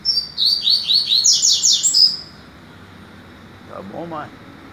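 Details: Tui-tui song of a double-collared seedeater on the morning of 22 September: a rapid, regular run of high, sharply slurred notes for about two seconds, then quiet, with a faint low murmur near the end.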